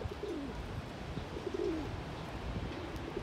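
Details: Male pigeon courting with raised neck feathers and a dance, unanswered by females: two low, soft, throaty coos dipping in pitch about a second apart, start of a third at the end, over a steady low rumble.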